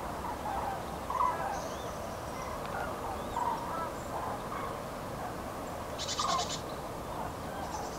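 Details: A flock of common cranes on pre-breeding migration in Nouvelle-Aquitaine, France, on 8 February 2017, gives scattered, rolling trumpeted calls a few seconds apart, over a steady rushing background of wind or distant noise.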